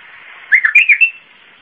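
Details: One fast Zamili-style phrase from an Iraqi bulbul: four or five short, liquid whistled notes rising and falling, ending on a higher clear note.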